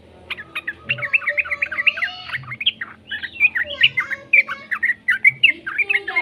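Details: Yellow-vented bulbul youngster singing, used as a lure so other bulbuls start singing; continuous bubbly chattering with wavy slurred phrases and short bright chirps.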